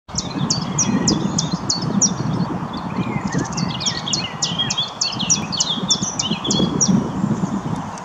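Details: Common chiffchaff at Riverside Nature Park, Dundee, gives a steady run of high, sharp, dropping notes, several each second, with other birds chirping lower and a constant low rumble beneath.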